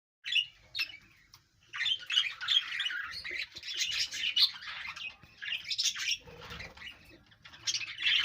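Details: A group of budgerigars chirping in natural sound: bursts of busy, scratchy warbling chatter broken by short pauses, with squawky notes mixed in.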